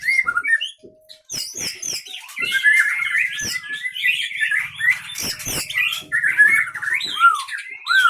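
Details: White-rumped shama, captive-bred from Leuser birds of Pining, Gayo Lues, Aceh, Indonesia, a line said to be fighters that mimic surrounding sounds; varied rich warbling with whistled slurs, sharp notes and clicks.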